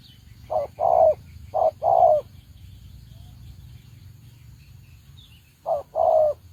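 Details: Spotted dove used as a trapping decoy gives two quick paired coos, a short hollow note then a longer falling one, then pauses for several seconds before one more pair.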